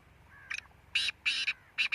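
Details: Black francolin calling: a short rasping burst followed by harsh, buzzy grating notes in quick pairs, strong and clear against a quiet background.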